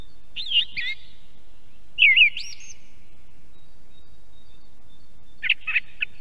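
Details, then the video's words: Song thrush beside an osprey nest in Estonia: looping whistled phrases and a burst of rapid chirps after a pause of three seconds, over low rumbling background noise. "Певчий дрозд (Turdus philomelos). Song Thrush"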